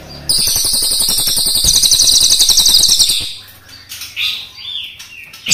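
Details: Crested jay, black and brown forms, firing a long roll: an intense, rapid mechanical rattle held for about three seconds, then a few softer squeaky, slurred notes and quiet pauses.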